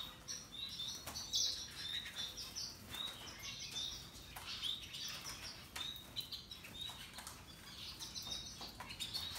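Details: Russian yellow and Timbrado canaries singing, several birds together; soft, scattered high chirps and short twittering phrases throughout, with faint wing flutters and a quiet background hiss.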